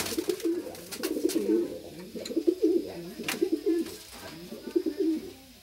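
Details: Several racing pigeons in a loft in Francisco Sá, Minas Gerais, Brazil, giving deep rolling coo phrases about once a second, overlapping one another, with occasional sharp clicks and taps among them.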